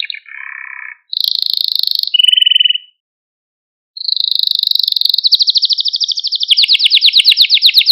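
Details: Male Maltese canary singing to stimulate other canaries: a string of rapid trills and buzzy rolls, some low around mid pitch, others high and bright, with a brief silent pause before a long accelerating high trill.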